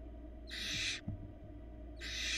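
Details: Young barn owl in a Florida nest box, filmed while feeding itself small pieces. Two rasping, noisy hiss-screeches about a second and a half apart, each roughly half a second long, over a constant low background drone.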